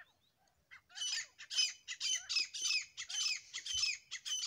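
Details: Two grey francolins, the desi teetar, build from soft notes into a fast series of harsh, screechy, repeated phrases at a bit under two per second, with one brief low thump.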